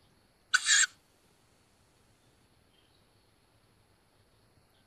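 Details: At a Hungarian woodland nest near Szokolya, young tawny owls close to fledging on 7 May 2022 give one sharp, hissing screech; quiet follows until a second call just starts at the very end.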